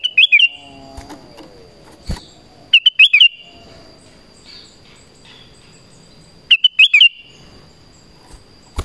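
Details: Lively Black-crested bulbul calling to attract wild bulbuls: short clusters of sharp, bright whistled notes repeated every three to four seconds, with a thin steady high tone and quiet background murmur between phrases.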